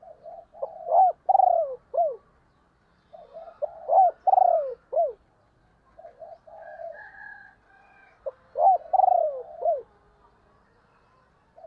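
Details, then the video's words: Decoy hen spotted dove calling to provoke wild doves quickly. Repeated low, mellow cooing phrases of several rolling notes ending in an abrupt drop, three phrases in a row with a faint higher chirp in a quiet gap. "cu mai gay kich boi nhanh noi"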